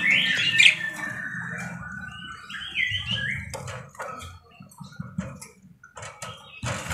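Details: Parakeet chatter opening with a loud scratchy squawk burst, then a few softer warbling whistles, fading into scattered faint clicks and taps against a low background hum.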